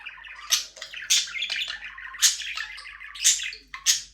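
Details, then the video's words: Budgerigars in a small aviary, flying freely, give a busy series of bright, scratchy chirps and warbles, with sharp high accents about every half second to one second and continuous chatter between them, with no music. "Budgies parrot chirping sound for your lonely bird"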